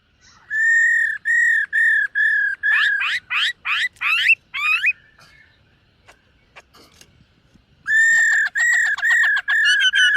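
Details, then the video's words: Silver-eared laughingthrush singing in morning voice training: even whistled notes, then fast upward-sweeping notes, a quiet gap with faint noises, then more whistles and short rapid notes. "Khướu BẠC MÁ hót MÚA luyện giọng . Khướu hót sáng luyện giọng kích bổi"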